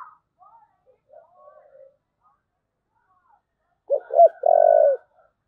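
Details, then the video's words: Faint soft murmurs, then a single spotted dove thúc gù phrase near the end: two abrupt short notes and one long, flat coo. "cu gáy thúc gù"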